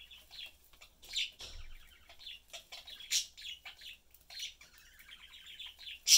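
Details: Caged budgerigar family, two parents and a youngster, chatting and eating together; busy warbling chatter with buzzy trills and scratchy chirps, punctuated by sharp loud notes.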